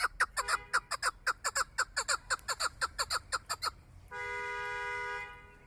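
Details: Chukar partridge kept for hunting gives a fast run of about seventeen sharp, evenly spaced chuck notes over nearly four seconds, then a steady horn-like droning tone takes over near the end.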